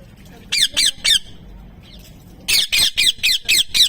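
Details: Parrot talking, saying "mithu mithu": three quick harsh squawking syllables, a short pause, then six more in a fast, fairly even run of roughly four per second, loud and bright.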